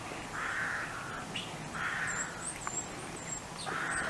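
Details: Western Jackdaws at bird feeders in late winter or early spring, looking for food knocked out of the feeders: three harsh, hoarse calls about every second and a half, while small birds such as tits and sparrows add thin, high chirps above.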